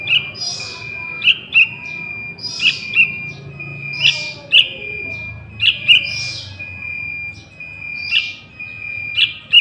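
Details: A young sooty-headed bulbul, its call used to lure wild bulbuls, utters short sharp chirps in loose pairs at irregular one-to-two-second gaps, backed by a continuous high steady tone.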